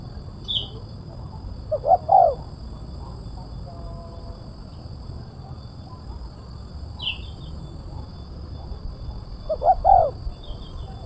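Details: Spotted dove, crisp kuk 1 style, giving two clipped coo phrases about eight seconds apart, with short high chirps from another bird and steady low background noise.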